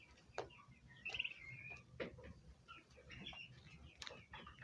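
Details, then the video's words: Bronze turkey poults chirping: scattered high, thin chirps and one quick trill, mixed with soft clicks and rustling, with faint low murmurs in the background. "turkey hen call sound effect | turkey chicks"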